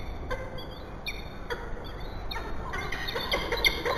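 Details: Peregrine falcons at a church nest box in Bath, 15 August 2018, after chasing off feral pigeons, give harsh, grating calls falling in pitch under a second apart, an animated exchange, ending busier with flapping and scuffling.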